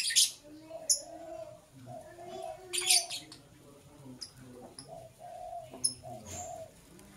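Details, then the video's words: Lovebird in the morning giving sharp, shrill chirps in short bursts every second or two, with soft low cooing humming underneath. "Sweet Lovebird Sounds - Chirping Sounds"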